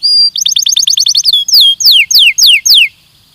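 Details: Belgian canary training song: a long whistled note, a quick run of about nine rising chips, then five loud downward-slurred whistles spaced roughly a quarter second apart.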